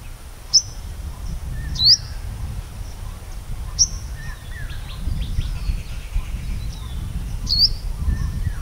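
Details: A purple sunbird in the morning gives sharp, high, upslurred chips about every second or two, with fainter twittering between, over a steady low rumble.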